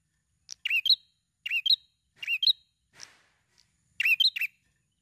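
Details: Actively singing prinia with a tight, rapid song used to provoke other birds to sing. Bright, scratchy chirp phrases repeat about once a second, each a quick cluster of twanging notes, with a few soft clicks between.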